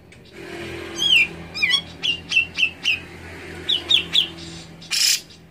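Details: Grey-cheeked bulbul (Alophoixus bres) song, played to prompt a bird reluctant to sing: clear downslurred whistles, then a quick run of similar notes about four per second, ending in a burst of noise over a low steady hum.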